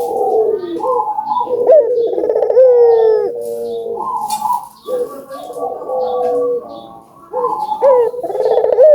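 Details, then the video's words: Albino collared dove (burung puter) singing vigorously, played to stimulate other doves to call; overlapping rolling, pulsed coos with rising and falling tones run together throughout, as if several doves are calling at once, with brief dips between phrases. "Suara Burung Puter Gacor ,merangsang burung puter agar bunyi"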